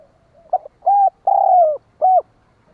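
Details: Champion spotted dove used as a decoy to lure other doves: a short clipped note, then a mellow held coo, a longer coo sliding gently downward, and a final rounded coo, against near silence.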